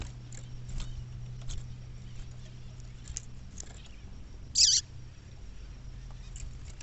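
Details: Female double-collared seedeater calling in the bush: a single sharp, high, falling chirp rises above a background of low hum and scattered faint clicks.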